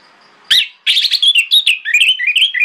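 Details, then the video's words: Morning lure song of an orange-headed thrush, used to bait other thrushes into answering. A sharp opening note, then a continuous, fast, tumbling sequence of high whistles, chirps and warbled slurs. "PANCINGAN ANIS MERAH PAGI HARI|| ANIS MERAH LAIN AUTO NYAUT"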